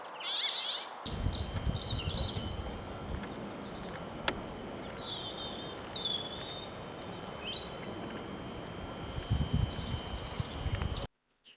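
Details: Brambling, a winter visitor to the UK, feeding in a winter flock. It gives short, nasal, wheezy "tweeze" calls, several over a few seconds, with a steady background hum and low rumbling throughout.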